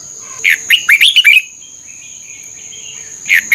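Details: Red-whiskered bulbul from Thailand, played to excite caged birds: a rapid string of sweet whistled notes lasting about a second, quiet, then two more notes begin, over a steady high hum.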